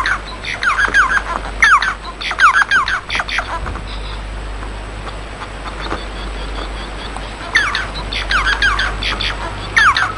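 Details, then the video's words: A Bengalese finch (white-rumped munia) sings quick bursts of scratchy, buzzy chattering notes with short squeaky whistles, falling quiet for a few seconds in between, over a steady low hum. "صوت طائر الموانو البنغالي"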